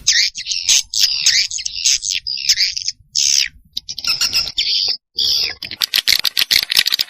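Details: Swiftlet calls meant to attract swiftlets: long buzzy high chirps in rolling phrases, ending in a fast rattle of ticking notes.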